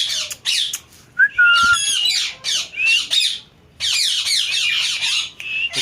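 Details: Parrot said to talk, with a clear downslurred whistle early on, then dense runs of grating, chattering squawks broken by short pauses.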